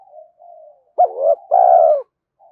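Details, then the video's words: Spotted dove coo used to stir decoy birds and train lure birds: quiet low humming notes, then one loud phrase of a quick rising note, a short hoot and a long falling coo. "Tiếng chim cu gáy kích bổi nhanh nổi và tập mồi hiệu quả"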